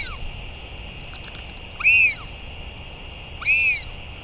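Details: Two loud, clear rising-and-falling squeals about a second and a half apart from a northern royal albatross during a return and feeding, 31 May 2023, with steady hum behind.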